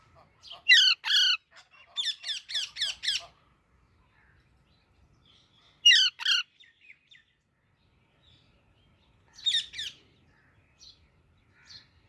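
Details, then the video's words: Baby Alexandrine parakeet calling in bursts: a series of harsh, rasping squawks in quick succession, then silence, another pair of squawks near six seconds and a final burst near ten seconds, with faint chirps between. "Super Cute Baby Alexandrine Parrot Natural Sounds | Baby Parrot Chirping Sounds"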